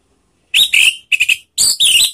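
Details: An orange-headed thrush gives lure calls meant to prompt singing: loud, strident, buzzy whistled notes in three quick bursts, the middle one broken into stuttered pulses.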